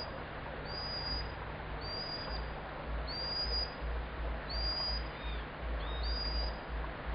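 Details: A common sandpiper gives an unusual high call: thin, very high, slightly rising whistled notes, about one every second and a half, over a steady low rumble and hiss.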